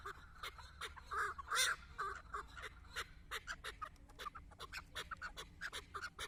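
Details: Hunting decoy chukar facing a female partridge gives a brisk run of clucking notes, a few louder harsh calls near the start, then a regular chuk-chuk rhythm of around two to three notes per second.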